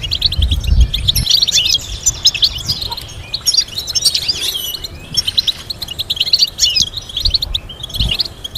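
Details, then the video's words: Goldfinch singing stimulating melodies for teaching: strong low thumps in the first second, then sparkling rapid twitters and chirp bursts in waves, loud and dense throughout. "Teaching goldfinch to sing complex stimulating melodies"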